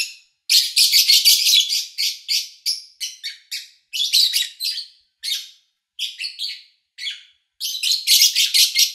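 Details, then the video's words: Quiet August 2019 recording of a pet lovebird: a rapid, almost continuous stream of harsh, high chirps, about two per second, broken by brief gaps, loudest at the start and end. "Sounds of Lovebird Chirping"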